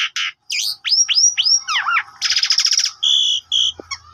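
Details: Asian pied starling in Indonesia, a lure and tutor song for other birds: a harsh note, a series of arched whistles, a swooping downward whistle, a fast rattling trill, then two flat steady whistles.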